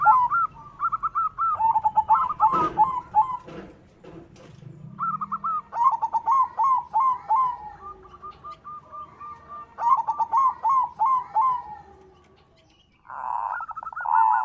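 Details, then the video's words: Persistent white zebra dove song, used to coax all kinds of zebra doves into singing and into breeding condition: repeated bursts of rapid, evenly pitched cooing notes, some clicking knocks early on, and a louder, denser burst at the end. "Suara Perkutut Putih Gacor PANDAI MEMANCING Bunyi, Menaikan Birahi Bikin Gacor Semua Jenis Perkutut"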